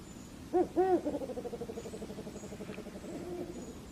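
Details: Shelley's eagle-owl calling: two loud, deep hoots, then a quick run of softer pulsed notes that fades away, with faint high whistles in the background.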